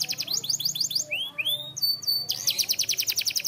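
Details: Canary song for training, with a rapid trill, then liquid rising slurs and whistled notes, then another fast, bright trill.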